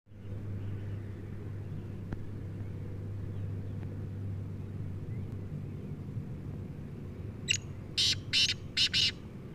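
A black francolin gives a harsh, grating burst of five loud clipped notes near the end, over a steady low engine-like hum.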